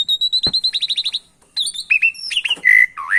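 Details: Javan pied starling on a training track mixed with canary song to make silent starlings sing: about a dozen evenly spaced clipped notes, a short gap, then rising and dipping whistles ending in a swooping upslur.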